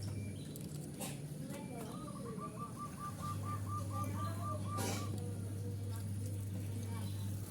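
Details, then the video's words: Local zebra dove calling to draw in rivals: a quick run of about a dozen soft, evenly spaced cooing notes, over a steady low hum and background noise. "Perkutuk lokal gacor suara paling ampuh untuk memanggil lawan"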